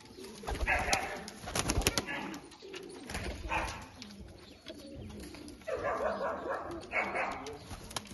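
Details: Chattri-type Punjabi Malwai pigeons from Amritsar, low murmuring coos in a noisy loft, with loud broadband rustling bursts near the start and again toward the end.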